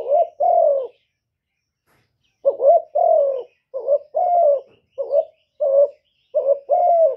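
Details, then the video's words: Spotted dove coos loudly: one two-part phrase, a pause of about 1.5 seconds, then a faster burst of short and long croos, low and hollow, some notes slightly clipped, in quiet surroundings. "TIẾNG CU ĐẤT, CU CƯỜM GÁY, CU GÁY CHU LÈO, CU GÁY CÀ LĂM, TIẾNG CU ĐẤT, CU GÁY KÍCH BỔI, CU GÁY GÙ"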